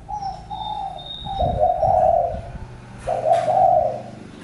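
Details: Spotted dove giving soft, throaty coos: a quieter lead-in, then two louder drawn-out notes about two seconds apart, with thin high twitters behind.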